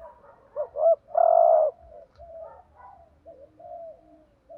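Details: Spotted dove used as a decoy, cooing to provoke rival males: two short rising coos followed by a long, loud, steady low coo near 600–700, then softer trailing coos, background quiet.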